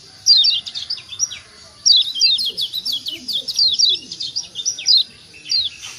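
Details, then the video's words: Kecial kuning, the Lombok yellow white-eye, in a lure recording meant to make other birds answer: quick series of high, thin, falling chirps in two dense bursts with short pauses, several notes overlapping. "Ciak ciak Jos Kecial Kuning Ampuh Merangsang Bunyi Jadi Rajin Bunyi 100% Yang Dengar Nyaut"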